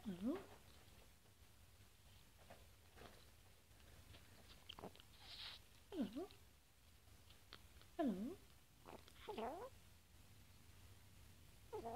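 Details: Indoors, a rescued flightless lorikeet whispers hello between mouthfuls of honey; faint, husky speech-like syllables recur every couple of seconds amid quiet chewing and licking sounds.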